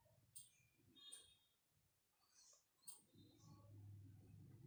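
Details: A newborn budgerigar chick, its wings not yet fully grown, gives a few thin, high, raspy chirps spaced out over a low room hum, around Christmas.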